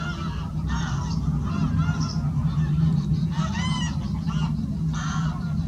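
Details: Black-tailed godwits flying in to roost at Oare Marsh, Kent, UK, several giving nasal, overlapping calls, some slightly rising or falling, over a steady low rumble of wind.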